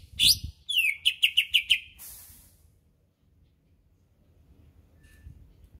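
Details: Greater green leafbird being groomed for a singing contest opens with a swooping whistle, then a fast series of about six even, buzzy trilled notes, followed by quiet.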